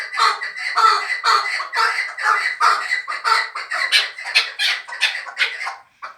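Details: Fighting chukar partridge, a bird from last year, giving a continuous stream of raspy, squawking chuck notes, about one and a half per second, fading at the close.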